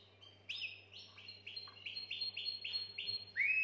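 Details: Canary song meant to stimulate females for mating: a run of repeated upswept whistled notes, about five per second, each sliding up and leveling off, with a steady low hum behind.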